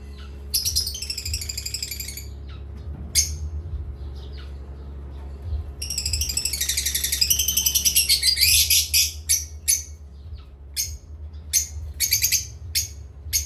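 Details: Pet parrots at playtime chirping in long rapid runs of high, harmonic tweets, with a busy stretch near the start and a denser burst after a short pause, then clipped separate notes. A steady low hum underneath.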